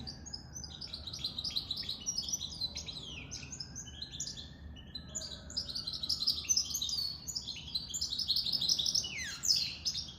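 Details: A goldfinch mule (goldfinch crossed with canary) sings a long unbroken warble of quick high chirps, trills and sharp downward slurs, about three notes a second, over a faint low whine.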